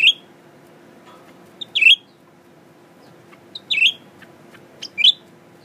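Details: Newly kept male Blue-winged Leafbird, caged and tame, singing while looking at its mirror image: short bright chirping phrases with a sharp downward-then-upward twist, about every two seconds, preceded by faint ticks, over a steady low hum.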